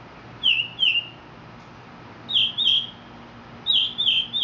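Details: Mexican mockingbird song: bright, falling whistled notes given in pairs, with pauses of over a second between each pair.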